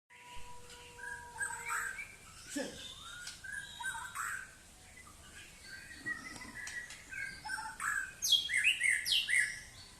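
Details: White-rumped shama singing a varied run of whistled and chattering phrases, mostly high-pitched, rising into a rapid, loud burst of sharp notes near the end. A steady faint tone is heard at the start.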